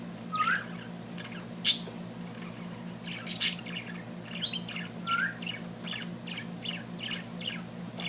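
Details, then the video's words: Little bird singing: scattered short bright chirps and brief upslurred notes, irregularly spaced over several seconds against a low steady hum. "amazing little bird singing"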